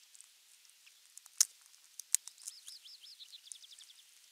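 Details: Osprey at nest camera 3, 23 June 2020, morning, with a half-kilo crucian carp as the catch; rapid string of high, slurred whistled chirps, about a dozen in under two seconds, after loud clicks.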